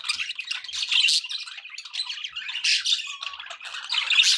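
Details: Chattering pet budgies: harsh squawky bursts alternate with softer clicking warble, and a short pure whistle is heard near the three-second mark.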